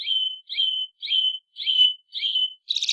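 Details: A kept white-bellied seedeater (patativa chorona) sings one of five song variants: clear, high whistled notes, each sliding slightly downward, repeated about every half second, ending in a buzzier trill.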